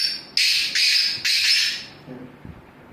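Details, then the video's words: Black francolin voice: three loud, rasping, grating notes in a rapid phrase, starting abruptly and trailing off into quiet with a few faint low sounds afterward. "black francolin voice"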